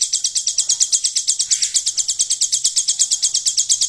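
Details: Kept hill prinia trained to mimic the golden grasshopper, producing rapid high-pitched buzzing pulses repeated evenly several times a second, loud and uninterrupted, with little other sound.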